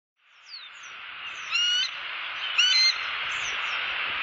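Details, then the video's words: Wild bald eagle pair calling to each other out of view of a nest camera in Southwest Florida on 1 October 2015; thin high chittering whistles and squeals in short bursts over steady broad hiss. "Harriet & Slim Have a Discussion Off-Cam"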